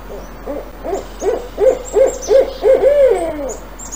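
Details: Barred Owl, a nocturnal Idaho owl, giving its 'who cooks for you' hoot: a rhythmic run of about eight short, low hooted notes at a steady pace, closing with a longer drawn-out note that slides downward.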